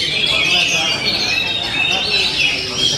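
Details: Oriental magpie-robin song in the 'ngent' style, a short stretch of bright, overlapping high whistles and trills running continuously.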